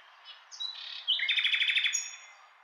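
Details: A nightingale opens with soft, drawn-out whistles, then bursts into a fast, loud trill of about ten repeated pulsing notes before falling quiet.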